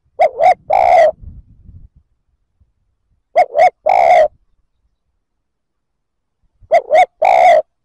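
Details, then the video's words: Spotted dove calling three times to provoke other males, each phrase two short hoots and a long coo; a faint low rustle follows the first phrase. "Tiếng chim cu gáy kích bổi chuẩn"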